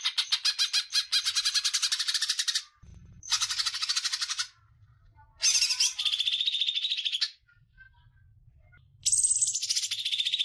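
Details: Training recording of greater green leafbird song for other birds: long bursts of fast, buzzy, grating chatter separated by short pauses, with faint low background hum between phrases.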